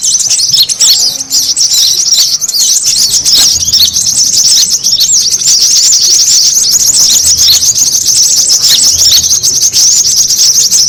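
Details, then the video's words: Busy brown-throated sunbird lure sound used to bring birds together, an almost eleven-second wash of high, fast twittering with thin chirps overlapping constantly. "SUARA PIKAT KORLAP RIBUT"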